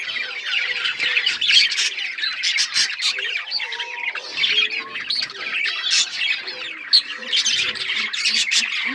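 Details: Several parakeets (budgerigars) chirp and squawk together, rapid raspy chatter with short whistled notes and occasional lower tonal calls underneath.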